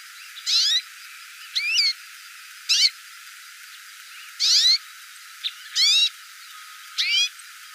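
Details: Hooded siskin calling: high, thin, twittering notes in short sliding bursts, about seven phrases spaced unevenly over eight seconds, against a quiet background.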